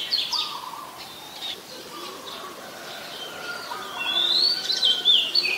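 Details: Oriental magpie-robin, a very common resident, singing in Ubon Ratchathani, Thailand, on 14 October 2021: clear whistled phrases around the upper range, sliding up and down, with a brighter run of varied notes near the end over faint background.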